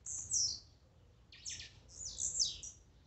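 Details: Close, loud Blue-black grassquit song for exciting a caged bird: a bright buzzy descending note, then a rough broadband burst and further high slurred buzzes in quick sequence.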